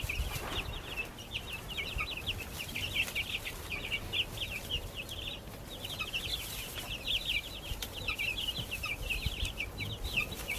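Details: Several baby chickens raised in a backyard chirp in a continuous run of short high peeps, briefly pausing near the middle before the chorus resumes.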